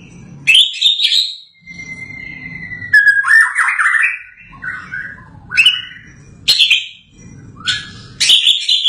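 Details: White-rumped shama (Copsychus malabaricus), in full song after finishing its moult, gives loud, varied phrases of rich whistles and sharp chatters, sliding between high and middle pitches in bursts every second or so.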